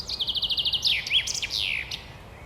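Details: Male common chaffinch (Fringilla coelebs) singing its full spring song, perched on a branch in urban forest in Poland: a run of about eight quick, slightly descending notes, then a tumbling flourish with a final downward sweep; faint hiss.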